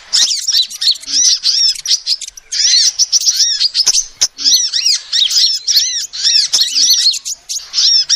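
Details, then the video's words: Female sunbird call used as a trapping lure: dense, rapid streams of high, thin chirps and arched downslurred notes in bursts lasting about a second, separated by brief pauses, with a few sharp clicks. "SUARA ASLI KOLIBRI BETINA"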